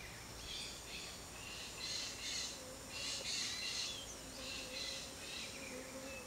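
Peach-fronted Parakeet giving harsh, scratchy high screeches in uneven bursts, several within six seconds, over a faint steady low hum.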